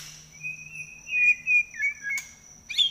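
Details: White-rumped shama: a few clear whistled notes gliding near the same pitch, separated by short pauses, ending with a brief sharp burst, over a steady faint high tone.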